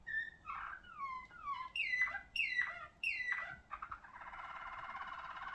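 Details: A Malinois Waterslager canary, ring 28/23, sings deep, liquid, bubbling phrases: gurgling glides falling in pitch, then sharp dropping notes, ending in a steady rolling trill.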